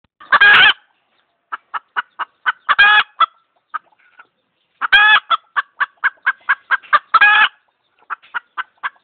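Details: Chicken clucking and screeching: short evenly spaced clucks broken by three loud, harsh, drawn-out squawks, with stretches of quiet between bursts.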